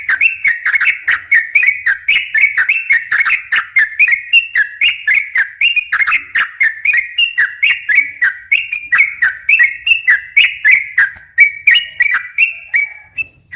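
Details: A sooty-headed bulbul delivers an energetic long 'ropel' song meant to draw in wild bulbuls, with a steady stream of quick, clear whistled notes, about four per second, continuing without a break.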